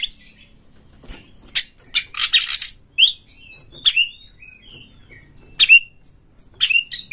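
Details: Lure song of an Oriental magpie-robin, used to provoke rival birds into singing and fanning the tail: harsh scratchy bursts early, then short bright whistles with downward flicks, spaced roughly one each second.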